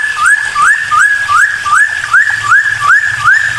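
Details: Cucak timor song used to get other birds singing: a clear slurred whistle rising and then holding steady, repeated about every half second in a regular, insistent series, with a low hum behind.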